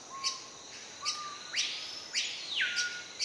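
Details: Great-billed Hermit, a male at a lek in the understory of Madidi Park, Bolivia, near Sadiri Lodge: short level whistles, then loud squealing notes sliding up and falling, punctuated by crisp high ticks.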